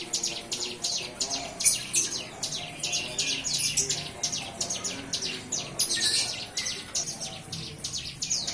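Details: Newly weaned, hand-fed young bar-winged prinia finding its voice: a steady, fast run of bright, high chirps, repeated evenly without a break throughout.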